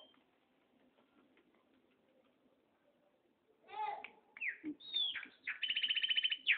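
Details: Loose chopi blackbird, free outside its cage, is quiet for several seconds. It then bursts into liquid whistles, a sharp upward slur and a rapid even trill of repeated notes, while a man calls it nearby.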